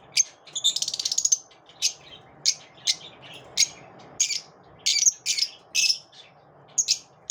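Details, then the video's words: After dawn, a lovebird opens with a rapid stuttering squeaky trill, followed by spaced, shrill single and doubled chirps. "Love birds after dawn"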